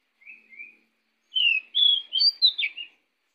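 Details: Pied bushchat song for luring other birds: two soft low whistles, a pause, then a loud quick phrase of five sharp varied whistled notes rising then falling.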